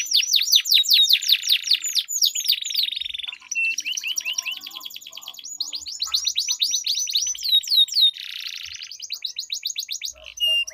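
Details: Long rolling canary song from a duel used as a lure for silent birds: cascades of descending whistles, extended buzzy rolls and trills alternating with sweeping notes, sustained for about ten seconds.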